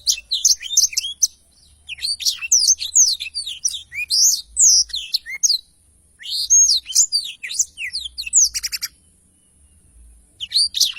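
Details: Blackthroat pouring out a long rolling song for training other songbirds: fast runs of high chirps and slurred whistles in three main bouts, with a dry buzzy rattle near the end.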